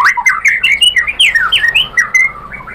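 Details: Provoked white-rumped shama singing back with a rapid jumble of loud, varied whistles and slurred squawky notes, sweeping up and down without pause over faint low background hum.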